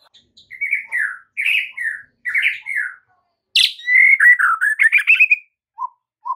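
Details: Caged-bird training song of a white-rumped shama: short slurred whistles repeated about every second, then a sharp high note leading into a fast warbled run, ending with two soft low chirps.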